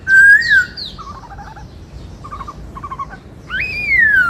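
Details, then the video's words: White-cheeked laughingthrush song of the bắt cô trói cột type: a clear arching whistle, soft stuttering low notes, then a strong rising and slowly falling whistled phrase. "Chim Khướu bạc má hót giọng bắt cô trói cột"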